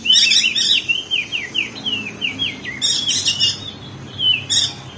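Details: Ngeriwik chattering of a crested white-eye, Lombok, West Nusa Tenggara, used to coax reluctant birds into song: a quick string of short downslurred whistles, about four per second, interrupted by loud harsh high bursts.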